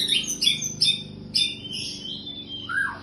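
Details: White-rumped shama after moult giving a rapid series of sharp, high chipping notes in quick bursts, ending with a lower downward-slurred whistle.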